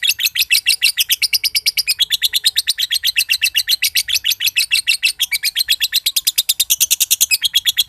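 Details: Green josan lovebird, a prized competition bird, delivering its long ngekek trill that reportedly sets other birds trilling: a continuous, fast, buzzy stream of even pulses, shifting slightly in pitch near the end.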